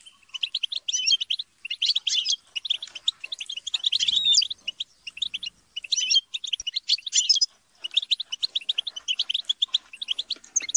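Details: A flock of European goldfinches chattering and squabbling, played to stimulate a goldfinch's song; nonstop high twittering and buzzy squabble bursts, one brief gap, faint low knocks in the background.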